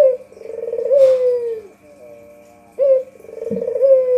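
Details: White Barbary dove calling, a recording used as a lure for catching birds: a rolling, stuttered low coo that swells into a long, smooth, falling note, repeated after a pause, with a faint steady background tone.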